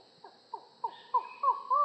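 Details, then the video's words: Collared forest falcon (Micrastur semitorquatus), a secretive bird of tropical rainforest, gives six hollow, slurred 'ow' notes, about three per second, growing louder and longer, with a faint steady insect-like hum behind. "Falcon Call Video: Collared Forest Falcon Bird Sound"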